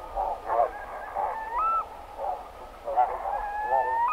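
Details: Barnacle geese (Branta leucopsis) roosting, recorded medium close, give a chorus of short, yapping, dog-like barks from several birds, with higher rising whistled notes threaded through.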